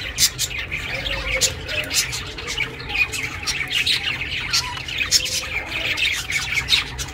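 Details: Pet budgerigar chirping, meant for lonely budgies; dense, continuous scratchy chatter of quick clicks and warbled chirps running throughout, over a faint low hum.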